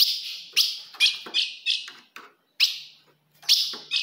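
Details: Ultramarine grosbeak, female call meant to provoke a male: loud, piercing chips with falling tails, repeated roughly every half second, then a short silence and two more notes.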